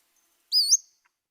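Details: A Pacific-slope Flycatcher on California's central coast gives one high, thin whistle that slurs sharply upward, like someone whistling for a taxi. Nothing else is heard.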